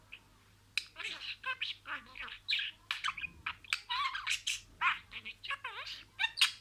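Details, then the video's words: Pet budgerigar talking, imitating a string of words: rapid, raspy warbled chatter with squeaky syllables and short buzzy notes, bursts starting after a brief quiet pause and continuing densely to the end. "MUHABBETKUŞU KONUŞMA SESİ"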